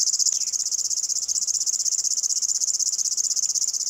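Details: Chirping, grasshopper-like song of a river warbler (Locustella fluviatilis), heard in the evenings: a high, dry, fast-pulsed trill with slightly uneven loudness, plus a brief faint descending note near the start.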